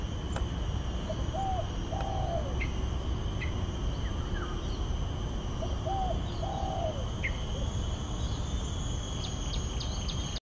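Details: Spotted dove singing at the Botanic Garden in Singapore: soft, low coos in two short phrases about five seconds apart. A steady hiss and hum lies underneath, with faint high chirps from other birds.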